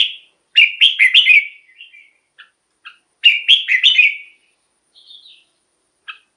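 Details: Caged-bird playback of red-whiskered bulbul song meant to rouse kept bulbuls: two loud, bright warbled phrases of four to five notes each, separated by soft single chips, with a faint high whistled note near the end.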